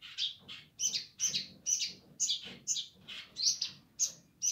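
A streaked spiderhunter gives a steady run of harsh, high chattering notes, about two per second, with a faint low hum underneath.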